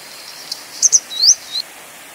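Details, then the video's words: Call of a grey wagtail, Motacilla cinerea: a single faint click, then a sharp doubled 'tzit-tzit' very high up, then a ringing rising sweep and a short softer trailing note, against a calm background. "灰鶺鴒/Grey Wagtail"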